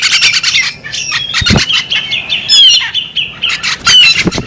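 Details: Female bearded magpie robin giving rapid squawky, chattering notes, harsh and nasal, with a few thin high sweeping whistles woven in and occasional dull knocks, delivered almost continuously in irregular bursts.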